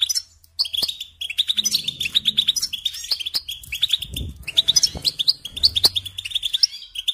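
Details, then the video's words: European goldfinch kept as a pet bird, singing a sustained jangling, twittering song of rapid chirps and short trills, with soft low knocks and rustles in the background. "Singing Along with Goldfinches"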